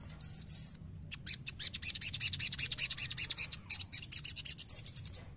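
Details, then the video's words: Sogon, a young bird in training, provoked to sing. A short scratchy phrase opens, then a fast, pulsing run of high harsh notes at about two or three a second gives way to thinner chirps. A low hum runs underneath. "CEPAT PANCING EMOSI SOGON BAHAN"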